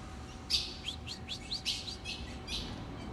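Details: Ultramarine grosbeak calls: a quick run of about eight short, sharp, downward-slurred chirps over three seconds, bright and high-pitched, with faint steady background hum.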